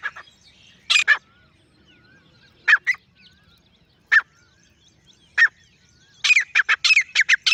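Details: Male grey francolin calling alone: scattered sharp notes, then a fast burst of harsh squawky syllables near the end, with faint whistled notes from other birds in the background.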